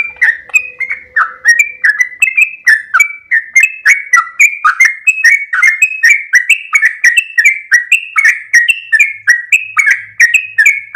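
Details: Sooty-headed bulbul in the long 'ropel panjang' song style, recorded as a master track for training caged birds. Loud, rapid run of liquid, chirpy whistles, each note dipping and rising, continuing without a pause.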